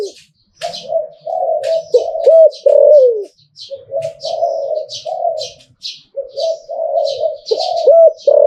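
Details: Zebra dove shown for its crowing song, a run of soft low coos broken by rolling trills and falling notes, with faint high chirps from other birds behind.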